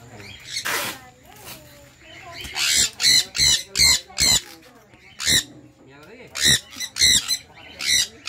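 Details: Rosy-faced lovebird chirping loudly: shrill, harsh squawking notes in quick bursts, about ten bunched calls with short gaps, uneven rhythm, some lower muffled sounds between them.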